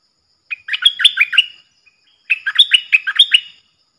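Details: Captive stripe-throated bulbul used as a decoy, its song played for young birds to learn and to draw in wild birds. Two bright, bubbling warbled phrases are separated by a short pause, with no other sounds.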